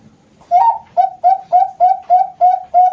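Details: {'caption': 'A captive Bangkok-strain zebra dove from a Kroya, Cilacap farm in Central Java coos steadily. Eight soft, round notes come about three per second, the first slightly rising, all clean against near silence.'}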